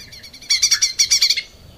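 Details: Caged lesser green leafbird recorded for cage-bird training. A single loud burst of about nine rapid, harsh, chattering notes, with faint quieter notes before it.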